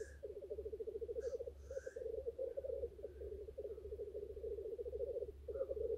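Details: Black grouse males at their lek in courtship display, long runs of pulsed bubbling cooing with brief pauses, short hisses and whistled notes, over a low background hum.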